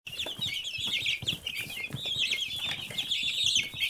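A brood of chicks peeps nonstop, many shrill, high cheeps overlapping into a dense chorus, with faint soft thumps and shuffling underneath.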